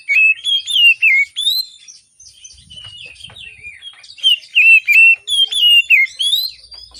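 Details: Oriental magpie-robin singing in the morning, used as a lure to prompt reluctant birds to sing. Loud, clear whistled phrases, sliding up and down, delivered in quick runs with a short pause midway.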